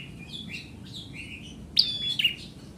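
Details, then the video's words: Bar-winged prinia (ciblek merah) in active song: soft high chirps at first, then one loud sharp whistled note sliding into a short trilled chirp just before the end. "Ciblek merah Gacor"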